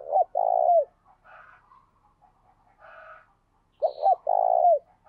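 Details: Decoy spotted dove cooing 'gáy sung' as part of training decoy birds. Two low phrases, each two quick notes then a long rounded coo, separated by soft muffled calls and brief high chirps.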